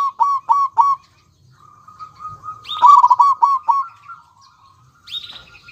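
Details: Local zebra doves, male and female, singing: a row of short clipped coos, then a faint sustained tone, and later a louder stuttering burst of rapid coos near the close.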